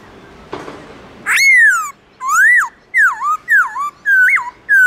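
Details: Black-throated laughingthrush with a morning wild-style song: after a brief soft rustle, loud rich whistles rise and fall in arching and dipping phrases, several in quick succession.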